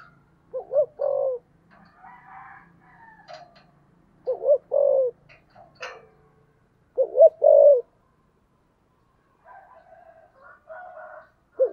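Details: Spotted dove with a 'thổ sấm' voice giving 'thúc gù' cooing: deep, rounded phrases of two short notes and a longer coo, repeated about every three seconds, with softer higher chirps from other birds between phrases.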